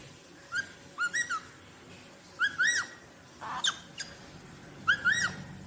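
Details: Rosella whistling: three phrases of rising and arched clear notes, roughly two seconds apart, with a soft harsh note between; faint background rumble.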